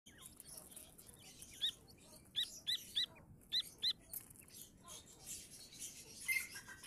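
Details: Grey francolin chicks calling: short, high, thin chirps repeated in a loose series of about six notes, with faint background noise.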